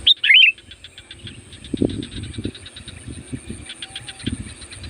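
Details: Sooty-headed bulbul (kutilang) lure song for wild birds: one short bright warbled phrase at the start, then low rumbling noise and repeated faint high pulses.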